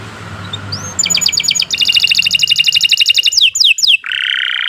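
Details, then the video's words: Canary kept for training other caged birds, delivering a rapid rolling trill of high pulsed notes, then a few sharp descending sweeps and a buzzy sustained phrase, over a faint low background hum. "Kicau Burung Kenari 91 II GACOR PANJANG Cocok untuk Masteran"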